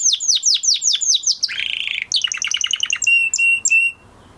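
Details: Post-moult male canary's song: quick repeated downward-sweeping chirps, a short buzzy rasp, a stuttering trill, then pure steady whistled notes. Each part is crisp and high-pitched.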